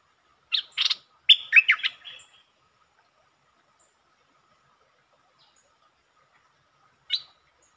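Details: Streak-eared bulbul singing, recorded 13 February 2023 while performing several song types: a short burst of sharp, bubbly chirped notes lasting under two seconds, then silence and one brief note later.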